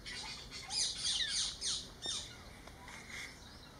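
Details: Spotted owlets in Ahmedabad, Gujarat, giving their screeching call: harsh, hissing broadband screeches in quick bursts, loudest and densest in the first second and a half, then a few fainter, spaced-out rasps over faint background noise.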